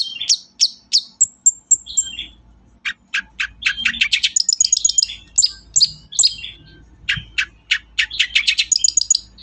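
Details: Energetic long-tailed shrike song intended to provoke other shrikes into singing: clear high whistles and downslurs first, then rapid runs of clipped ticking notes and varied twittering phrases, continuous and bright.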